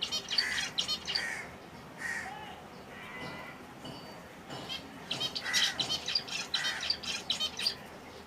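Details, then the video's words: A chorus of finches from several species in their natural habitat, giving busy bursts of bright chirps and short trills at the start and again after five seconds. A harsher call comes near two seconds, with soft fluttering between. "Enjoy the Serene Sounds of Finch Birdssong || ফিন্চ পাখির শব্দ || ফিন্চ পাখি কেমন করে ডাকে"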